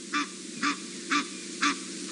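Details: Egyptian geese alarm-calling at a leopard pair on an August 14, 2017 game drive in Djuma, Sabi Sand, South Africa: four harsh, nasal honks, about one every half second, over a steady low background hum.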